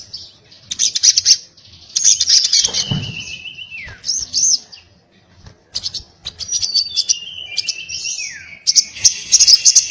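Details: Little spiderhunter, locally sogon, singing: high chattering bursts and long, slightly wavering whistles that drop in pitch. A low thump is heard near the third second.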